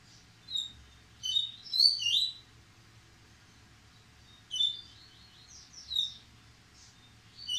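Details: A yellow-bellied seedeater whose song is growing faster by the day sings quick bursts of high, sweet chirps and slurred notes, with pauses between phrases.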